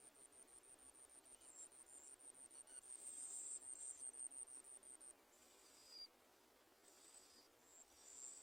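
Bar-winged prinia chicks beg with very high, thin, rapid buzzy notes, pulsing several times a second before fading and returning in short bursts.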